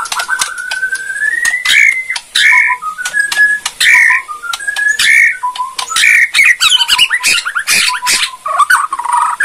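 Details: White-rumped shama of Bornean type, a kept bird used to provoke other shamas into singing: a long rising whistle, then varied whistled phrases and clicks over steady background hiss.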